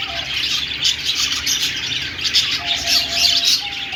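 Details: Budgies singing together, a busy bright chatter of quick chirps and scratchy twitters without pause, with a thin low tone briefly sounding near the end.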